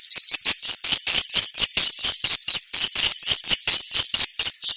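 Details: Indonesian 'sp kompak' swiftlet sound for swiftlet farmers: a steady stream of very high, thin, buzzy chirps pulsing about twice a second with no pauses.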